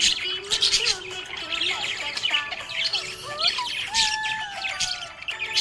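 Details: Happy budgie producing varied twittering, rising and falling chirps and a few drawn-out whistled notes, with quiet music in the background.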